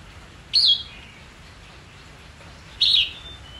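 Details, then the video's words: Red-whiskered bulbul, a white-cheeked bird kept for song training, gives two short, bright, slightly descending notes about two seconds apart, with a quiet background between them. "Luyện Chim Chào Mào Má Trắng Học Giọng Nhanh. Chào Mào Hót / Chào Mào Hót Đấu/Kích Bổi Hót"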